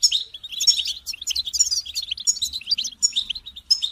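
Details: Group song of European goldfinches, used to encourage goldfinches to sing and finish their feather moult; a continuous, busy tangle of high tinkling twitters and sharp chirps from several birds at once.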